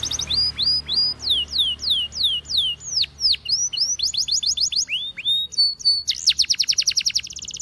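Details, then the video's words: Belgian canary repeating bright downward-slurred whistles in an even rhythm, then breaking into fast rolls and a dense high trill, used as a training song. "The Best Belgian Canary Sound For Training!!!"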